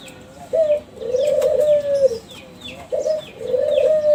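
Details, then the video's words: Kelantan zebra dove youngsters from a champion breeding line, their song played as a lure: two cycles of a short rising note then a long, buzzy low coo, with repeated descending chirps from other small birds in the background. "SUARA DERKUKU KELANTAN TRAH JUARA PANCINGAN SUARA GACOR"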